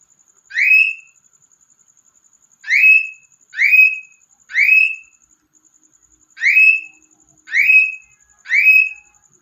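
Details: A pet cockatiel (Nymphicus hollandicus), described as crying, gives loud, rising, whistled shrieks in short bursts, with irregular pauses between them.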